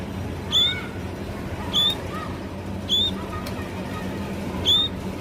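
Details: Sparrow chirps: four crisp, high, single-note chirps spaced just over a second apart, with fainter lower calls from other birds and a continuous low hum underneath.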